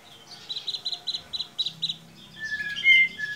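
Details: White-rumped shama used as a trigger sound for a young bird that sings too little: a quick series of about ten short repeated notes, followed by sliding whistles.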